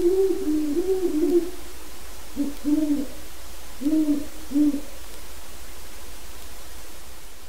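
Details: Wild Great horned owl hooting in the yard of a non-releasable breeding pair: a rolling run of low hoots, then spaced single and paired hoots about every second, fading to steady low hum.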